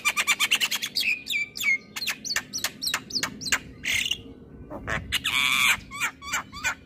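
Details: Javan myna song to stimulate caged mynas that will not sing: rapid clicking notes and falling whistles, followed by harsh, buzzy squawks with a low background hum.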